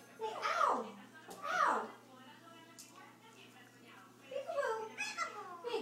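An eclectus parrot talks in short, human-like phrases: two slurred words early on, then a run of quicker chatter after a pause, in a small indoor room.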